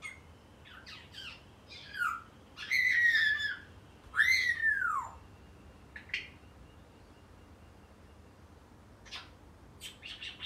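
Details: Eight-month-old male African grey parrot chatting away at home, giving rapid squeaky notes and then two long arching whistles that rise and fall, followed by a few sharp clicks and chirps after a quiet stretch.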